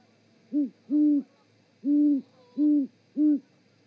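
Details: Great horned owls in a mating duet at an osprey nest in Charlo, Montana, picked up by a live nest camera on 7 February 2018: five deep, hollow hoots, a short one first, then longer level ones, against a quiet background.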